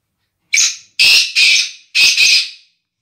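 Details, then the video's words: Black francolin from a breeding pair, giving loud, harsh, grating notes in two quick bursts: a single rasping note followed by paired scratchy notes, then another pair, all within about two seconds and with no other sounds. "Black Francolin Voice"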